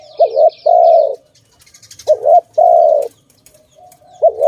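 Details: Dove linked to bird trapping coos: a short wobbling double note, then a long smooth coo, repeated after a pause of over a second. High twitters from other birds come at the start and in the background.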